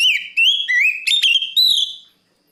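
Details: Oriental magpie-robin call to a rival: a continuous run of clear whistles, flat then upslurred, broken by quick chip notes, ending in a long steady whistle.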